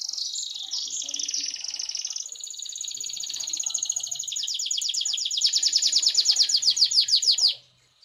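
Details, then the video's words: Canary song intended to make other canaries sing: a long warbled run flowing into a steady, ever louder rolling trill of rapid repeated notes lasting several seconds before stopping abruptly. "BURUNG KENARI LAIN, PASTI IKUT BUNYI DENGAR SUARA JERNIH INI"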